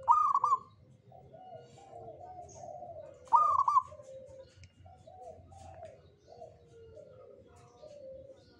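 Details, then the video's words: Local Zebra dove of the Jogoboyo type, said to invite good fortune: two loud, bright rolling coo phrases about three seconds apart, with softer, lower cooing from other doves running continuously underneath. "SUARA PERKUTUT LOKAL JOGOBOYO"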